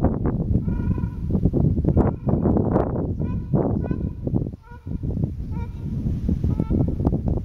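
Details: Trumpeter finch on Fuerteventura, 2019, giving nasal, toy-trumpet-like notes in short bursts about once a second, over heavy wind rumble.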